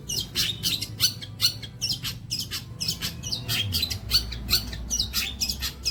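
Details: Long-tailed shrike song as training material for songbirds: continuous harsh, squawky chatter repeated several times per second, with occasional thin whistles and a low rumble beneath.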